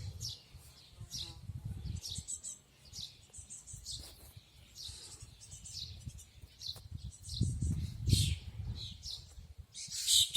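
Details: Birds in Yubileyny Park, Kremenchuk, Ukraine: scattered high chirps and short twittering phrases over a steady low rumble of background noise.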